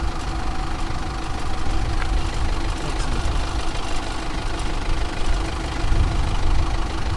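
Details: An idling vehicle engine rumbles low and continuous, with no animal calls.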